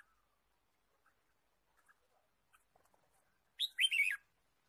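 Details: Red-whiskered bulbul in the wild, forest during bird trapping, 23 March 2017: after near silence with faint ticks, one short, bright phrase of quick rising and falling whistled notes lasting about half a second.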